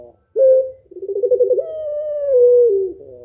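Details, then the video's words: Female puter pelung dove calling to rouse a lazy male into cooing: a short level coo, then a rapid pulsed rolling phrase leading into a long drawn tone that slowly falls, in a small indoor space. "Puter Pelung Betina Memanggil Jantan Malas Agar Mau Bunyi Manggung Gacor Tak Kowor Kowor"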